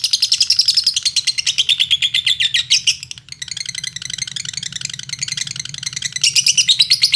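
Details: Indonesian lovebird song meant to stir other lovebirds into singing: rapid scratchy high chatter with rising and falling trill phrases, a brief pause near three seconds, then dense twittering again.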